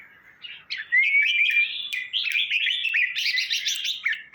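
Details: Red-whiskered bulbul song from Trang province, Thailand, used to rouse caged birds: a rising whistle leads into a run of quick, warbling, jumpy notes that grows busier toward the end.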